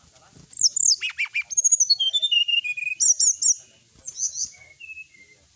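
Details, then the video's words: Sooty-headed bulbul in full, vigorous song for a night-time tutor recording, a fast run of bright looping whistles and chattering notes that slide downward, then sparse softer whistles. "srdc gacor full isian ,masteran srdc malam hari"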